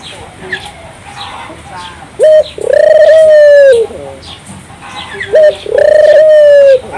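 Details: Energetic gacor song of a Barbary dove, used to rouse local doves: two drawn-out low coos, each opened by a short sharp note, with soft chirps between.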